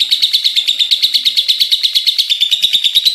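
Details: Lovebird ngekek chattering: a fast, regular series of shrill, squeaky pulses at an even rhythm and volume throughout.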